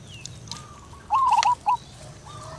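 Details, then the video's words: Local female zebra dove singing (manggung) to call its mate. It gives one short, loud burst of quick, warbling coo notes, then a single brief note. Faint background birds are heard. "suara perkutut betina lokal manggung panggil pasangannya"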